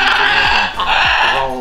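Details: A blue-and-yellow macaw lets out loud, grating, nasal squawks, two drawn-out harsh calls back to back, with low thumps in the background.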